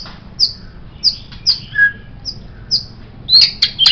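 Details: White-rumped shama song meant as a tutor recording for songbirds: five high, short whistled notes spaced about half a second apart, with a brief lower whistle among them. It ends in a cluster of loud, harsh, rasping bursts.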